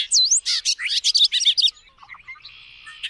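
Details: Bobolink opening with a sharp V-shaped whistle, then a rapid burst of bubbly, metallic notes lasting under two seconds, trailing off into a few faint chips and a thin steady buzzing tone.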